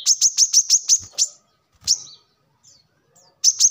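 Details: Brown-throated sunbird, locally kolibri kelapa, as a lure and song model for training birds: a quick run of seven sharp, high chirps, a couple of isolated notes after a pause, then a new burst at the end.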